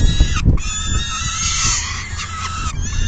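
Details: Peregrine falcons at the nest during a full feeding, 10 June 2022, 4:08 PM, one bird leaving once full; drawn-out, steady wailing cries held at one pitch, broken by short gaps, over heavy low rumbling noise.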